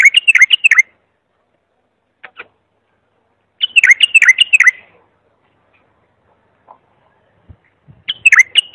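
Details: Clear bulbul singing meant for teaching young or silent bulbuls: short runs of quick, looping whistled notes, repeated in phrases about three to four seconds apart, with faint clicks between.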